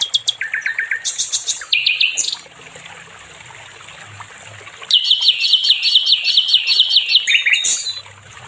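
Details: Training song of a nightingale, known as sikatan londo: bursts of rapid, high trilled notes, some phrases dropping lower, then a quiet gap of about two seconds before another long, dense high trill with faint trickling in the background.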